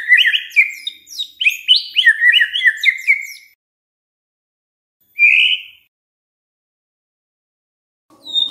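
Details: Oriental magpie-robin song meant to stir other magpie-robins into singing: a burst of quick, sweet whistled notes and trills for three seconds, a lone slurred whistle later, otherwise silence.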